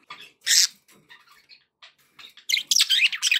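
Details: Budgies calling, to cheer up pet parakeets: a loud harsh squawk, a few soft chirps and quiet mutterings, then a final stretch of rapid, loud, scratchy chatter.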